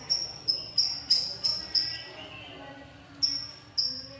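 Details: Long-tailed shrike, a bird said to imitate the songs of any other bird, giving short high whistled notes, each about half a second long, in a loose series, then a pause and two more, over faint background murmur.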